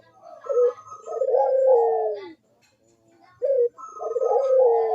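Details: Barbary dove cooing as a lure for lazy doves: a quick staccato note, then a long rolling coo falling in pitch, silence, and the pattern starting again.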